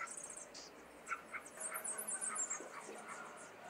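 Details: Common starling youngsters in a cage in Liepāja, Latvia, during May 2024 make a varied jumble of squawks, harsh rasps and squeaky chirps that build to a dense burst midway, with city noise behind.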